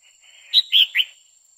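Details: Calling to rouse a male, a female red-whiskered bulbul delivers one crisp three-note phrase: a high sharp note, a fuller middle note, then a slightly lower closing chirp, all within half a second.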